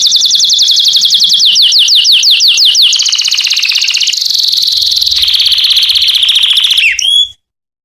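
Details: Canary song meant to attract a mate: rapid sweeping downslurred notes repeated in a long series, shifting into sustained rolling trills and ending with a brief whistled flourish before silence.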